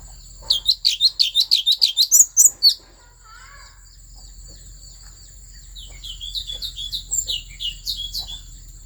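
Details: Asian fairy-bluebird from the forests of Vietnam's Central Highlands, singing to stir up other birds: a fast burst of sharp, high chirped notes for about two seconds, a pause, then a softer run of similar notes.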